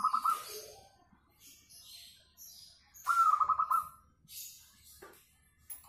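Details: Local zebra dove singing, described as very melodious and suited as a lure to get other doves singing: two short bursts of rapid, staccato cooing notes about three seconds apart, with faint high chirps from other birds around.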